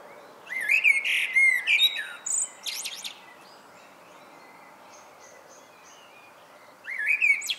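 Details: A common blackbird's evening song: a mellow, fluted warble breaking into high, squeaky twittering, then a pause of about four seconds before the next phrase.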